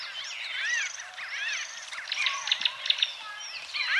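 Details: White-fronted bee-eaters (Merops bullockoides) in Kenya call together in a busy, overlapping chatter of rolling, chirping notes that rise and fall in quick succession, with no pause throughout.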